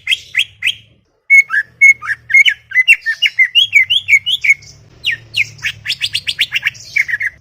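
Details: Chattering greater green leafbird (cucak ijo) from a garden, delivering a fast run of clear whistled notes, some flat, some swooping, roughly two per second, rising into denser higher chirps toward the end; faint low hum.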